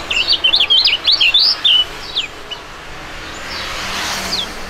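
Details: Two young Indonesian songbirds of fighting type, contest performers, singing in duet: a rapid burst of high, sharp zigzag whistled notes for about two seconds, then quieter scattered chirps over steady background hum.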